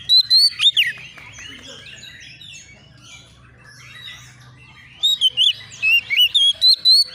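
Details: Young Oriental magpie-robin seeking a rival, opening with loud whistled sweeps, falling to a quiet spell of faint chirps, then resuming with a fast string of clear slurred whistles and chips.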